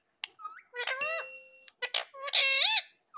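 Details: Pet green ringneck parrot talking indoors: a run of high, bright, harmonic syllables, some held and bending upward, with short gaps between words and a final long rising-falling squeal.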